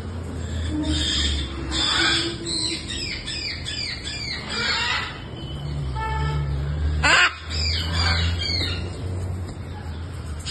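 A harlequin macaw gives harsh, raspy squawks in short bursts, loudest near the middle, over a steady low indoor hum.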